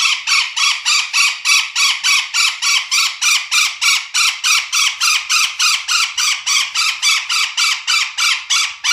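A golden parakeet gives loud, harsh, grating squawks, about three or four a second, in a steady run with no other sounds.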